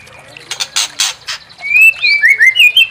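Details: White-rumped shama song meant to provoke another bird to sing its full repertoire. Several harsh, rasping chack notes lead into a clear, loud run of whistled slurs that step up and down in quick sequence.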